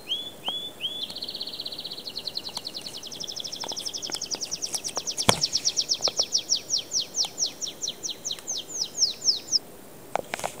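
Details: Singing cobalt canary: a few whistled notes lead into a long accelerating trill of rapid repeated notes that climbs higher, then slows into distinct downward-sweeping notes, ending about ten seconds in; faint clicks and knocks.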